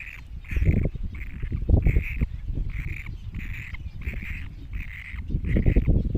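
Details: Great cormorant chicks utter a regular series of about nine drawn-out, nasal squealing calls, with strong low rumbling and knocking noise underneath.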